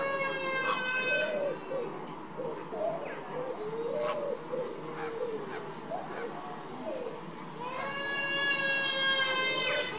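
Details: Caribbean flamingos at baseline activity: loud, harmonic honks open and close the stretch, with lower, rapid, rolling chatter between them and a dense background of calling birds.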